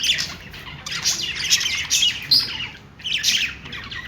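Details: Budgerigars in a happy mood chirp and chatter without pause. Scratchy, warbling notes overlap in several bursts, with brief squeaky peaks.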